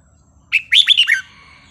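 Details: Red-whiskered Bulbul from the wild giving a forest song: a short, bright phrase of four or five liquid, warbled whistles tumbling downward, clear over faint background hum.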